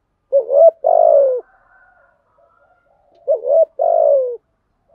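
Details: Spotted dove cooing, 'thúc gù' pattern in 'giọng thổ' voice. The phrase comes twice, about three seconds apart: a wavering two-part lead-in, then a long, vibrating, gently falling coo. The background is quiet.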